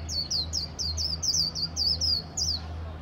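A Japanese white-eye sings a fast run of thin, high, twittering notes, each a quick downward slur, about four per second, over a low steady hum.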